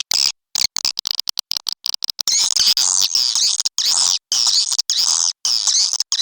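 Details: Edible-nest swiftlet calling sound used to lure swiftlets: dense high chirping twitters, scattered short clicks and brief abrupt silences, then longer unbroken runs of buzzy, rippling chirps in the second half.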